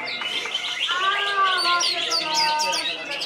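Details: Greater green leafbird (cucak ijo, Pandan Wangi type) at a songbird contest training session in Serasam Sekura, perched in one spot while singing: clear whistled notes and quick high chirps in a busy stream, other caged birds and a murmur of people around.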